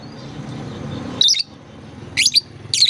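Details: Lovebird chirping used to lure young birds into calling: a low rumbling background, then three loud, shrill chirp bursts in the second half.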